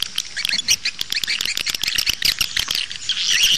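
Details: Swiftlets twittering in a dense chorus, a recording used outside to lure swiftlets in: rapid, high, sharp chirps and buzzy squeaks overlapping without pause, growing slightly louder toward the end.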